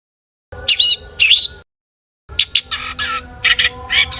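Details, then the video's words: Long-tailed shrike in lively song meant to stir other shrikes to sing: two grating, scratchy bursts, then a pause of silence, then a busier run of rasping notes and brief high whistles. "burung cendet gacor FULL ISIAN buat PANCINGAN CENDET AGAR BUNYI!! jadikan BURUNG PENTET GACOR EMOSI"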